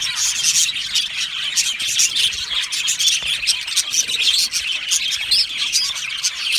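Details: Aviary budgerigars chirping cheerfully, a thick overlapping chatter of squeaky tweets and warbled phrases from many birds at once.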